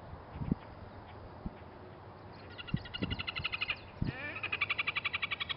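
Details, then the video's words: Red-necked grebes at Davis Lane Ponds near Bozeman, Montana, give loud, nasal, rapidly repeated chattering notes in a braying run, after a few low thumps and some background rumble. "Red-necked Grebes"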